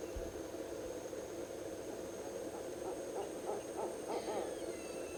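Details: Barred owl claiming a nest site, a hole in a tree, months before nesting typically starts in January; a run of short, quick hoots builds toward the end over steady background hum, with a faint higher squeal near the close.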